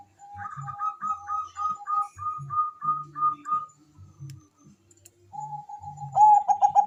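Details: Bangkok-type zebra dove song meant to stimulate mating urge and singing: a long run of short, evenly spaced whistled notes stepping between two pitches, then quiet, then a loud burst of fast clipped cooing at the end; low thumping pulses underneath.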